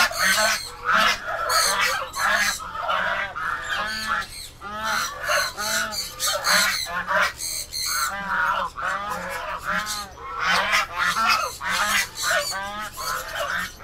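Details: A group of domestic ducks kept on a farm, by a duck house under construction next to the turtle setup, keep up a busy chorus of harsh nasal honks, irregular and overlapping, roughly ninety calls a minute.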